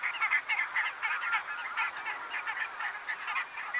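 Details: Great crested grebe (Podiceps c. cristatus) in Strijen, Netherlands, February 2019, gives harsh, nasal, rasping notes in a rapid chattering run, about three or four a second, with no other clear sounds.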